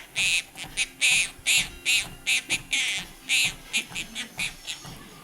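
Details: A pet female Quaker parrot, perched on a treadmill while its owner walks, gives rapid bursts of harsh, raspy syllables, about two or three a second, in a loose bobbing rhythm, with faint background hum.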